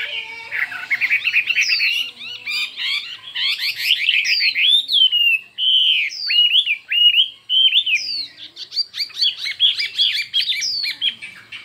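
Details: Chinese hwamei in a singing contest, delivering fiery song with many voices: a rich, fast stream of loud slurred whistles and rising and falling notes, with phrases changing constantly.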